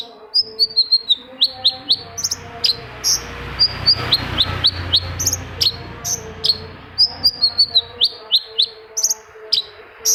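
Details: Lure singing of a long-tailed shrike, meant to get silent shrikes singing: steady sprinkles of thin, high descending whistles and short sharp chips, spaced fairly evenly, with a soft low hum beneath.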